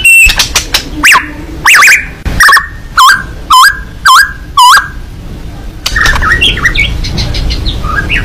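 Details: White-rumped shama, a fighting bird singing with open beak: a run of five or six loud, evenly spaced hooked whistles, then softer twittering notes under a low hum.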